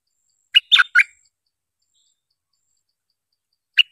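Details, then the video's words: Streak-eared bulbul lure call, used for trapping: three quick, scratchy chirps in under a second, then a lone chirp after a pause of nearly three seconds. "Suara pikat merbah lekir"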